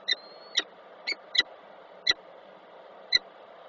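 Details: Peregrine falcon pair meeting at a nest box in Koszalin, autumn 2024. Seven short, bright calls spaced irregularly over nearly four seconds, with a low electrical hum behind them.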